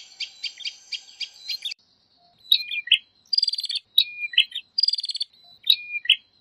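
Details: Male and female prinias calling noisily to each other as a lure recording: a fast series of buzzy, rattling notes, then high thin whistles each dropping into a sharp slurred chip, repeated about every second.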